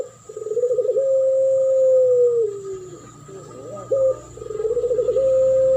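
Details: Duet lure song of a spotted dove, used to attract doves: a quavering low coo swelling into a long level tone that slides downward, a short accented note, then another quivering coo ending in a sustained hold.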